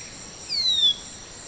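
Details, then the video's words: Tropical manakin from Brazil gives one pure, slightly descending whistle of about half a second, set against continuous high-pitched insect buzzing. "SUARA BURUNG MANAKIN YANG EKSOTIS DARI BRAZIL"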